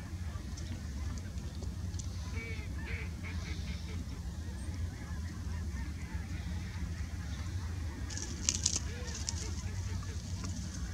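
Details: A nearby sandhill crane at George C. Reifel Migratory Bird Sanctuary, Delta, British Columbia, gives a few short, rolling, trumpet-like calls, fairly faint against a steady low rumble of wind or distant traffic.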